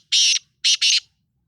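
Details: Black francolin (Sindhi lal potiya, kala teetar) calling with three loud grating notes: one long buzzy note, a pause, then a quick pair of rasping notes. Background is quiet.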